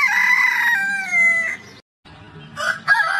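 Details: Rooster crowing in a compilation of heritage chicken breeds: a harmonic crow holding steady then sliding down near 1.5 seconds, a brief silence, then a second crow beginning.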